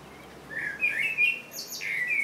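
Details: A common blackbird sings a short phrase of mellow, fluted warbling notes that ends in a high, thin, squeaky twitter, against faint background hiss.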